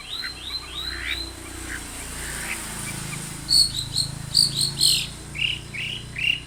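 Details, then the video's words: Long-tailed shrike singing energetically as a lure to get other shrikes calling: soft rising slurred notes at first, then loud sharp chirps and squeaky upslurred whistles in quick irregular bursts over a faint low hum. "SUARA cendet Gacor full varian pancingan cendet agar bunyi"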